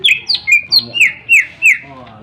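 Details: Greater green leafbird singing sharply as a lure for other birds: a quick series of about seven bright downslurred whistles, each dropping from high to mid pitch, evenly spaced.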